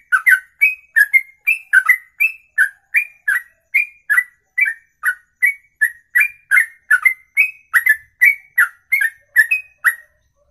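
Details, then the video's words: Long ropelan sung in one breath lasting more than two minutes; continuous chain of crisp whistled notes near three per second, see-sawing pitch, each with a sharp click, ending abruptly into silence. "Inilah Ropelan Sekali Nafas 2 menit lebih"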